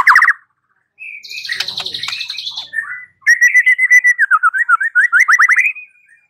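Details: White-rumped shama song played as a lure to provoke a bird into answering and singing: a loud whistled note, a harsh buzzy chatter, then a fast run of about twenty repeated sweeping whistled notes.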